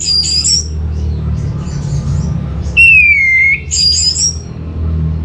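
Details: Orange-headed thrush (anis merah) singing: a loud, clear whistled note slides down and flattens out, framed by higher thin whistled phrases before and after, over a steady low rumble of background noise.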